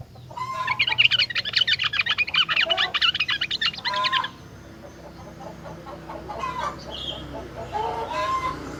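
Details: Rengganis in energetic song, claimed to trigger replies from other rengganis: a dense, loud, fast chattering run lasting about four seconds, followed by quieter scattered whistles and low rolling notes.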